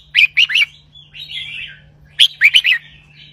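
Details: A caged red-whiskered bulbul in 'double-hundred' song: two bright groups of four rapid, liquid whistled notes, separated by a softer rolling warble, with a low hum beneath.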